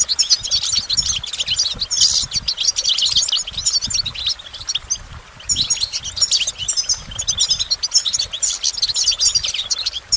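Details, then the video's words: Goldfinch singing continuous, energetic twittering song of high sparkling notes and buzzy trills, with only short gaps between phrases. "Goldfinch Motivation Performance"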